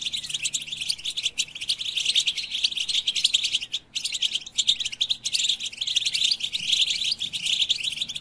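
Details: European goldfinch song of fast, bright twitters and liquid trills packed closely together, with an abrupt silent gap near the middle before the busy chattering resumes.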